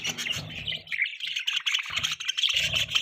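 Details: Budgies chirping in a continuous high, scratchy warble of quick chirps and twitters, broken by short low buzzy bursts.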